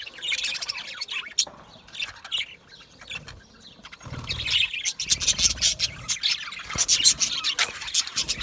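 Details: Several budgerigars chirping together in quick, uneven bursts of bright high chirps and harsh chatter, with short quieter pauses and occasional low fluttering or handling noise.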